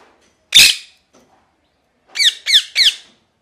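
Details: One sharp, loud parrot screech followed after a pause by three quick harsh chirps, each sliding downward.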